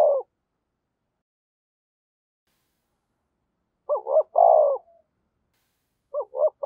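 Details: Decoy spotted dove calling in the 'thổ sấm' voice style: the end of one coo, a pause of several seconds, one full hoarse phrase of two short notes and a long roll, then the next phrase starting.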